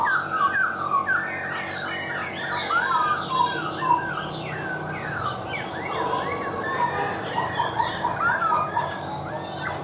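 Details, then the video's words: Laughingthrush singing busy, tumbling phrases of looped whistles and quick trills that shift constantly in pitch, with a steady low hum underneath. "Chim khướu mộc dở , a e thẩm giọng cực hay luôn"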